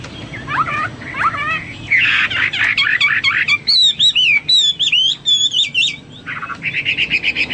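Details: Hwamei singing rising whistled notes, a harsh noisy burst, then a fast series of crisp looping whistles and a closing buzzy trill.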